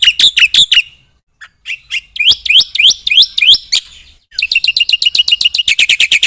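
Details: Black-winged myna singing in chatty 'gacor' style with full 'isian' fill-in phrases, meant to provoke other birds to answer: bursts of sharp, rapid high chattering notes, a pause near one second, then quick repeated bright chips and a dense run at the end.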